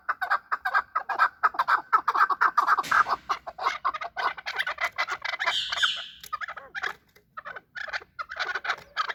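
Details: Fighting chukar partridges: rapid, crowded clucking that swells and thins, a noisy scuffle partway through, then scattered chuck notes after a short gap.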